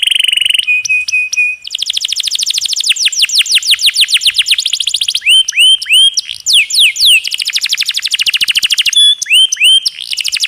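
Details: Rolling canary song for training songbirds, over an added trickling-water effect: a buzzy opening, a clipped repeated phrase, then long runs of quick downward-sweeping notes broken by looping whistled slurs, continuing steadily for ten seconds.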